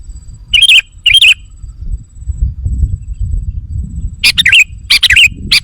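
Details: Lure call of a sooty-headed bulbul, played to provoke wild birds: a pair of short warbling whistled phrases, a gap, then a rapid burst of four bubbly phrases, with low background rumble.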